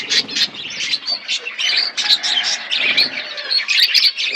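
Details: Several budgerigars in a forest-environment aviary twitter busily, mixing short chirps with thin whistled notes and rapid warbling, loud and nearly unbroken.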